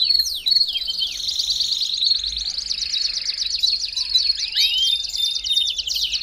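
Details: Song of a Belgian canary, used for warming up a caged canary. A few swooping notes open into a long, dense, buzzing trill of very rapid repeated notes, with occasional looping whistles breaking through.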